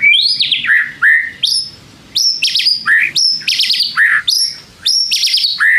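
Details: White-rumped shama song used to provoke other shamas into responding: loud, varied whistled phrases with sharp rising and falling notes, rapid chattering bursts between them, repeated in quick bouts with short pauses.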